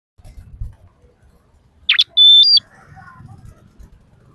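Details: Common iora whistle used as a lure to get other birds singing: a sharp burst, then one loud, clear, high whistle held steady before stepping up briefly at the end, over faint low rumbling background noise.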